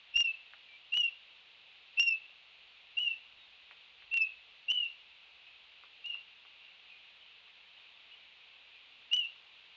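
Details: Two Laysan albatross chicks fighting at a nest, one rushing in during a turf war; short sharp whistled chirps about once a second with a long gap before a final chirp, each with a click, over steady hiss.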